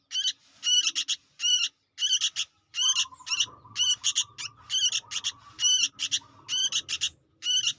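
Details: Talkative juvenile sooty-headed bulbul giving repeated buzzy triple and double chirps at a steady pace, while a level whistling tone and low rumbling noise run through the middle part.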